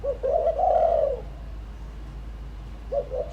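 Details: Decoy spotted dove calling for wild doves: two quick coos run into one long, rich, rolling coo that falls away, followed by quiet before two more short coos near the end.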